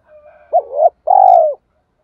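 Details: A spotted dove used as a lure to incite fights, calling 'gọi hai hậu': a soft lead-in, a wavering arched coo, then a long steady coo that falls slightly at the end. The background is otherwise silent.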